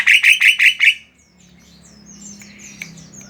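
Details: Javan myna singing, used to provoke other mynas into song: a fast burst of five loud, harsh repeated notes, then a quieter stretch of thin high twittering.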